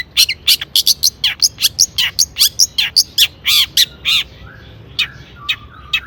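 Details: Excited Long-tailed shrike singing a lure song full of mimicry: a quick series of sharp clicking and chipping notes, some with buzzy tails, slowing into scattered chips and soft low whistles.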